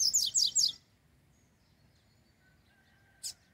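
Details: Double-collared seedeater (coleiro) singing intensely during a campeada field trial in Brazil: three quick, bright, downslurred high notes in a rapid burst, then near silence with one short sharp click.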